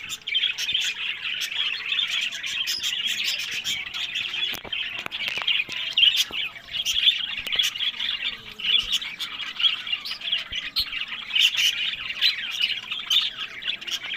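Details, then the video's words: A large group of captive budgerigars in Larkana, Sindh, chatters continuously with high warbled chirps and squawks, scattered with sharp clicks and taps. "Buddies Parrot Voice"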